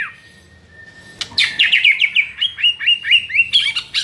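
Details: ['Murai master song used to trigger another murai into singing: a long steady whistle, then a fast run of high, sharply dropping chirped notes repeated in quick succession.']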